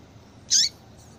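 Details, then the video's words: Single bright chirp from a female yellow-bellied seedeater calling to excite a male into breeding condition, high and sharp with a descending lower edge, followed by a faint soft note. "fêmea de coleiro baiano chamando Muito Para Esquentar coleiro baiano"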